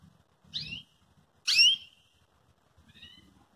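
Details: Calling Belgian canary, used to stir another canary into song: a thin falling note, then a louder sharp descending tweet, and a faint short call at the end over quiet low background noise.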